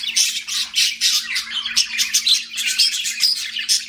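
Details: Pet budgerigars squawk and chirp in quick, rhythmic bursts, raspy notes mixed with brief thin whistles, roughly three to four calls a second, over a low room hum.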